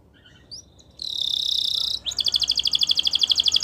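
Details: A Belgian canary sings after a few faint chirps: a dense, buzzing high roll for a second, then a rising slur into a rapid, regular pulsing trill of bright notes.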